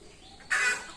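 A ringneck parrot gives a single loud, harsh screech lasting about a third of a second, rough and broadband with a shrill edge, after a quiet start.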